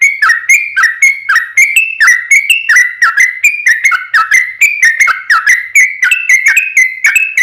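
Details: Sooty-headed bulbul singing a long rapid fighting song, used as a lure to draw other bulbuls into replying: a continuous stream of quick, bubbly, slurred whistled notes repeated about twice a second without a break.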